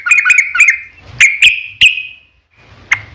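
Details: Trucuk song used as a lure to make other trucuk answer: bright whistled phrases around mid-high pitch, a quick run of three notes, then three sharp separate notes and a final lone note after a pause.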